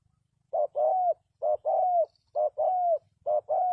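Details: Spotted dove calling to lure wild doves for trapping: four crisp phrases, each a short coo followed by a drawn-out falling coo, repeated at an even pace of about one per second in near silence.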